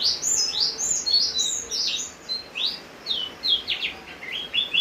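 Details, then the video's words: Vigorous song from a Javan grey-throated white-eye during rain: strong high whistles arching up and down in quick succession, later breaking into clipped rising notes, backed by continuous rain noise. "opior jawa gacor saat hujan"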